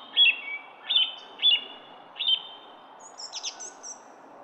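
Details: In a garden, a songbird repeats four sharp chirped notes about every 0.6 seconds, then breaks into a very high, thin, tinkling trill, with faint steady background noise.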